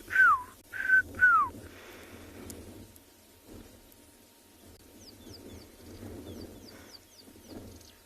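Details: Black-crowned Tchagra calling from a thicket at sunset on 23 November, Tswalu Kalahari Reserve, South Africa: three loud, clear whistles slurring downward, close together, then faint high chirps from another bird over a low rumble.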